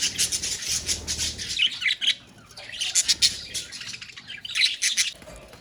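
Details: A colony of budgerigars produces bursts of high, scratchy chirps and squeaky warbles, several birds overlapping, with short lulls between louder flurries.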